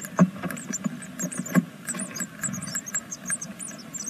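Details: Great tit nestlings on the sixth day of a second brood, in a nest in Veszprém, Hungary: thin, high, arched begging notes crowd the second half, mixed with dull knocks and shuffling inside the nest.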